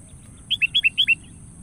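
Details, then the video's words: A Sooty-headed bulbul gives a lure call challenging a rival: six quick, bubbly whistled notes in three high-low pairs lasting under a second, over faint low background rumble. "Panggilan PIKAT KUTILANG Gacor"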